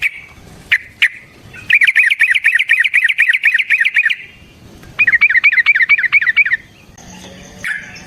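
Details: Yellow-vented bulbul fighting song meant to provoke other bulbuls: two long rapid trills of bubbling, chattering notes at steady pitch, with a few isolated notes before them and a soft hum at the end.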